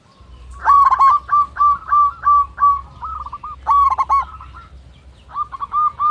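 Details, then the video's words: Zebra dove of local stock, big-voiced and long-breathed, calling a rival. Loud rhythmic coos about three per second, a brief stuttering burst midway, then softer notes resuming at the end. "Perkutut Lokal Gacor Suara besar Nafas Tua memanggil Lawan"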